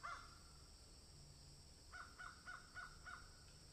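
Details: Crow calling as it eats: one caw at the start, then after a pause five short harsh caws in quick succession, fairly faint against a steady hiss and low rumble.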